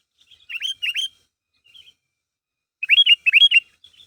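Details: Gacor kutilang, or sooty-headed bulbul, calling to stir others into sound: two pairs of clear, hooked chirps, downslurred with a rising start, separated by near silence and faint soft notes.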